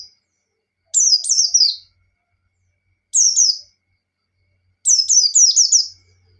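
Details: White-eye 'ngalas' song intended to provoke a rival: rapid runs of three to five high downslurred whistles, a lone note between, phrases about every two seconds, faint low hum at the end.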